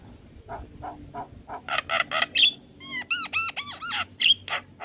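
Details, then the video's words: Gacor-style Javan myna singing for training young birds: a steady run of harsh rasping notes, then a quick series of arched, bouncing whistled notes and short squeaky bursts. "Jalak Kebo Gacor Coba Ini Untuk Melatih Jalak Muda Jadi Gacor"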